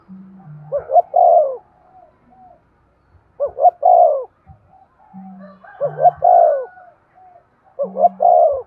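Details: Cooing of a spotted dove used to prompt breeding, short quick notes leading into a drawn-out descending coo, phrases spaced a couple of seconds apart, with soft low hum between them.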